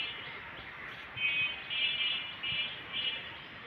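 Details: Asian koel singing from village trees in spring while paddy is drying, heard as announcing spring's arrival. Three loud, tuneful whistled phrases, each under a second, over a steady background hum.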